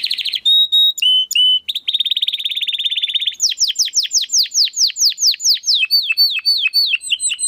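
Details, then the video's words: Domestic canary singing actively in a crystal-voiced style, recorded for training competition birds: a high buzzy trill, then a fast run of sharply falling whistled sweeps repeated several times per second, ending in bright chirps. "Kenari Gacor Suara Kristal Buat Masteran Burung Gantangan"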